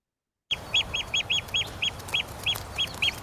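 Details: Eurasian oystercatchers in winter on the coast, running around and chasing each other, give loud, shrill piping calls, about three per second, each a sharp rising-then-falling note, over a faint low background hiss.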